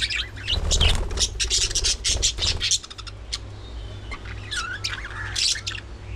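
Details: Budgerigars at early morning feeding time, rapid dense chattering bursts of scratchy clicks and chirps for the first three seconds, then quieter warbled whistles and squeaks over a low hum.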